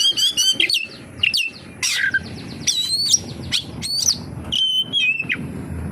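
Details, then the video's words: Oriental magpie-robin delivering a loaded song of imitated notes: clipped whistles, a buzzy downslurred burst, and sustained level whistled notes near the end, separated by short gaps. "SUARA BURUNG KACER, FULL ISIAN KAPASTEMBAK"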